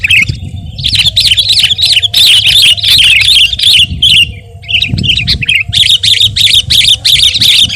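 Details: Sooty-headed bulbul giving a fast, lively song for bird training and luring: long runs of bubbly warbled notes, a short break near five seconds, then the chatter resumes over low background noise.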